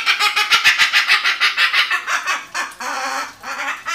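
A cockatoo gives rapid, harsh, raspy squawks, about three a second, followed by longer grating screeches.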